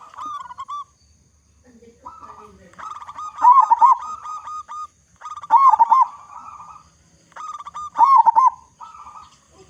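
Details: Local zebra dove with a big voice, kept as a lure so other zebra doves start singing, delivers repeated rolling coo phrases, each building to a loud trilled burst, three strong bursts in sequence.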